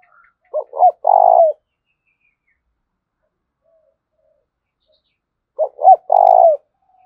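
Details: Spotted dove coo from Dong Nai, Vietnam, played as a lure to rouse other doves: two short upward notes then a sustained throbbing coo, the phrase given twice about five seconds apart in quiet surroundings.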